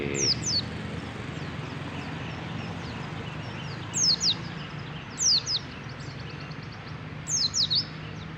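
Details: A kept white-eye, hung outdoors in Kota Baru to answer wild white-eyes and raise its breeding condition, gives short, very high twittering bursts of quick falling notes every second or two over a steady low background rumble.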